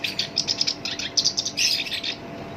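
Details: Black-browed reed warbler, locally called sinchan, singing a rough-voiced song suited as a lure to set other songbirds singing: dense scratchy chattering of rapid harsh notes, pulsing in quick bursts without pause.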